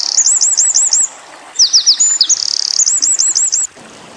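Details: Eurasian wren singing tembakan style for young white-eyes to learn: a string of looping high whistles, a pause, then fast rattling notes and more looped whistles.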